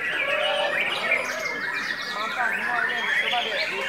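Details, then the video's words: White-rumped shama singing hyperactively, said to be driven by a diet of pellet feed and crickets; a dense, continuous stream of varied whistles, chattering trills and sharp chirps, with overlapping bright notes and a busy background. "MURAI MATAHARI HYPER KONSLETNYA GARA GARA PUR DAN JANGKRIK SAJA"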